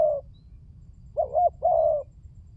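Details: Spotted dove cooing for luring: a trailing coo, then a wavering short hoot followed by a longer, slightly falling mellow note.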